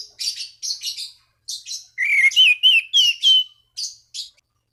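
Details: Song of an Orange-banded thrush calling rivals, used to stimulate other thrushes to sing: scratchy high chips leading into a loud run of rising and falling whistled slurs, then more chips.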